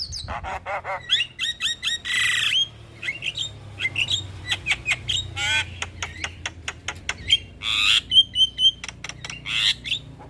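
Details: Javan myna morning song recorded as a master and lure track: loud harsh squawks alternate with rapid clicks, whistled notes and rasping bursts throughout.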